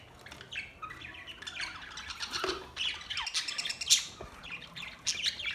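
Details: Several green parrots from Larkana, Sindh, August 30, 2023, mixing high squeaky chirps with harsh squawks in irregular overlapping bursts, one sharp screech standing out midway.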